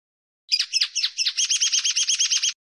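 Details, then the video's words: Common linnet singing: a few high, varied twittering notes followed by a fast, even trill of about a dozen repeated bright chirps, recorded cleanly with no background. "El Canto del Pardillo"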